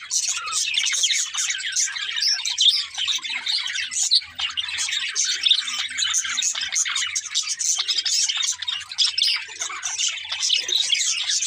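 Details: Pet budgerigars singing and playing happily, a flock in full chatter: bright, rapid, scratchy twitters and clicking chirps overlapping continuously, some sharper squeaks standing out, low hum underneath.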